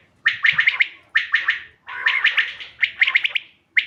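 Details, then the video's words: Common quail (bater) calling, recording dated 5 June 2025 and used for quail hunting: sharp, bright notes in quick clusters of three to five, each cluster opening with a softer low note, repeated about once a second. "bater ki awaz shikar k liye behtareen awaz quail bird sounds for hunting بٹیر کی آواز"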